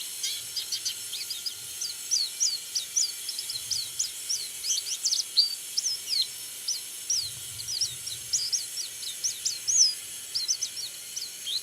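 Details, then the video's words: Active white-eye singing a continuous, rapid, high-pitched twittering of thin whistled notes, some rising and some falling, run together without pause over a steady hiss, with soft low rumbles in the background. "Burung Pleci Kacamata Kuning Putih Suara Aktif"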